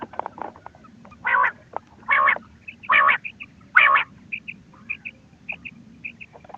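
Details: Quail calls from a ghungay wal hunting lure: four strong raspy bursts spaced under a second apart, then a sequence of high clipped double chirps.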